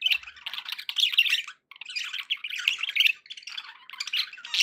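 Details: Continuous budgerigar chatter: scratchy, buzzy warbling phrases with high squeaks, broken by a short pause near 1.6 seconds.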